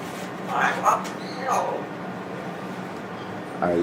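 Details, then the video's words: An African grey parrot that has just started saying "I love you" practises it over and over, giving a few quick, word-like syllables, seemingly "I love you," followed by a pause and the start of another voice. "the African Grey Parrot, says, "I Love You""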